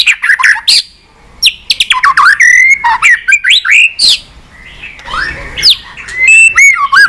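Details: White-rumped shama, a kept pet bird, singing to stimulate other pet shamas: loud, varied whistled phrases sweeping up and down, interspersed with sharp clicks and rattling notes, in rapid bursts with brief pauses.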